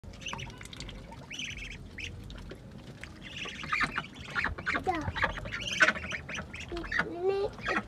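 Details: Ducks bathing in a small pool give scattered nasal quacks and harsher calls, some rising and falling, with broadband splashing and water noise throughout, growing busier in the second half.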